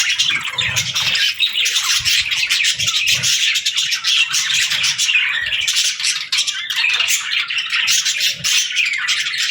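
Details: Several budgies chattering at once, a constant wash of high, gritty twitters and squeaks with no clear pauses.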